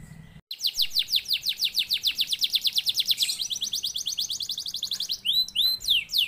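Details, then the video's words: Singing canary meant to spur other canaries to sing, delivering a long rapid trill of sharp high notes repeated many times a second, shifting to a faster buzzy roll, then ending with swooping whistled notes. "NYAUT GACOR DOR KENARI MANASAJA DENGAN PANCINGAN KENARI GACOR"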